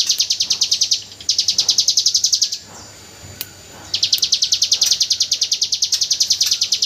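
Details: Hill prinia in 'AK47 burst' song style, recorded as tutor audio for white-rumped shamas: high buzzy notes rattled off about three per second in bursts, broken by a brief pause of roughly a second and a half.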